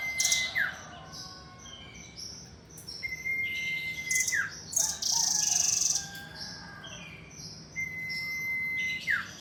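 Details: Caged nuthatch in full, constant song after feeding: long flat whistles that each end in a quick downward slide, alternating with dense high chattering bursts several times a second, over a quiet background hum.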